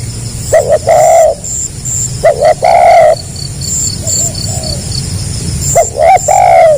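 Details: A tekukur, or Spotted dove, performing the gagap rapat selang nguku song style. Clusters of short clipped coos are followed by a longer mellow coo, repeated three times over a constant insect whine.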